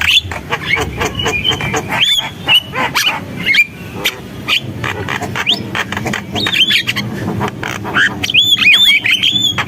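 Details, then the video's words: Javan myna in full song: harsh chattering and clicking interspersed with short looping whistles, growing busier toward the end. "JALAK KEBO GACOR, SUARA JALAK KEBO"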